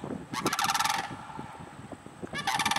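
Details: A flock of big sandhill cranes flying toward the listener gives two loud, rolling, trumpeting rattles, each under a second long, over a faint background rumble and the echo of their calls.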